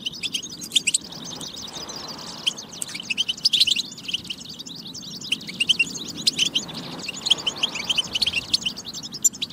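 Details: Goldfinch batba song meant to motivate goldfinches to sing; a busy, unbroken stream of high twittering and liquid chirps, denser in places, with a soft steady hum underneath.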